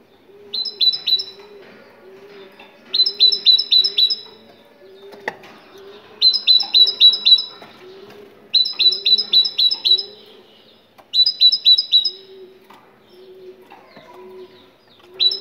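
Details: Moroccan great tit singing, played to spur other tits to sing: bursts of five or six quick ringing, whistled two-part notes repeated every two to three seconds, separated by quiet gaps with a soft low hum.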